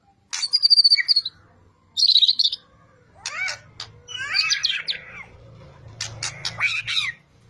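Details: White-rumped shama singing vigorously, used to spur other birds into song: high rattling bursts, then varied whistled and scratchy phrases, with a low hum beneath.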